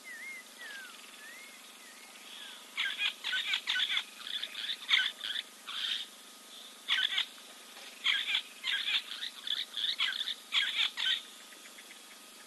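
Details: Preening giant kingfisher, Kings Camp waterhole, Timbavati, South Africa; a few looping whistles from another bird open, then a long series of harsh, raspy notes in uneven clusters.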